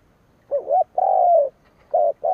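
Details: Spotted dove kept as a decoy, calling to provoke rival birds: low hollow coos, a short wavering note then a longer falling one, repeated, with a clear pause between phrases.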